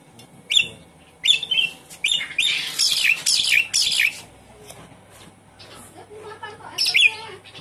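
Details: Javan pied starling kept in a cage, used to coax a bird that has stopped singing: scratchy, buzzy phrases with falling whistled slurs, rising in a dense run, then quieter notes and a final harsh burst.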